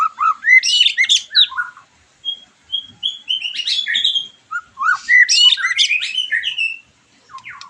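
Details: A white-rumped shama sings to rouse a bird after its moult; varied whistled phrases, a few clear level notes and chattering high bursts alternate with brief pauses.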